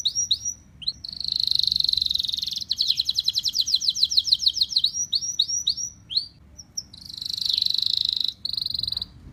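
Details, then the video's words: Canary singing, played to train other birds at home: varied high phrases of sweeping whistles, a sustained buzzy roll, a fast descending series of clipped notes, then more swooping notes and another long rattling trill. "kicau burung kenari"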